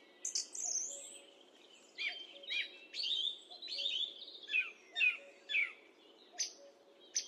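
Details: Song thrush singing, taken with a high definition microphone: an opening high whistle, then a descending note repeated about five times in a steady series, followed by sparse sharp chips, low hum behind.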